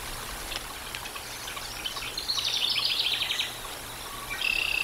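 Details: Bald eagles at the Decorah North nest, live camera, 13 July 2022 at 18:47; soft scattered clicks, then a rapid high staccato chatter lasting about a second, ending with a sustained thin whistle-like note.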